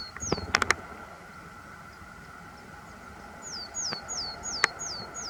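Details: A vocal willow tit at Nightingale Ponds, where a pair has bred in previous years. It gives high, thin, down-slurred whistles, two early on and then five in quick succession near the end, with sharp clicks and a steady background hiss.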